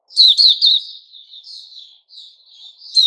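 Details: Short phrase from a Puteh Raja white-rumped shama, dated 29 August 2021: three loud rapid chirps, then quieter sustained wavering notes, ending with another sharp chirp.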